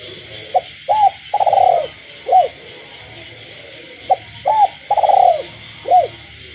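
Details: Captive spotted dove calling at night alongside frogs in a village: two full coo phrases, each a short note, an arched coo, a long pulsing coo and a final arched note, about three seconds apart, over a constant night drone.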